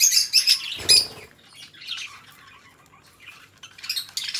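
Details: Pet budgerigars, two companion birds, giving short scratchy tweets and chirps, then a soft wing flutter and a quieter stretch before the rapid buzzy chatter resumes at the end.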